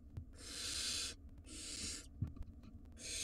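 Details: Nest box recording of wild barn owl nestlings begging to the adults: three coarse, hissing screeches, each roughly three-quarters of a second, with faint knocks between them.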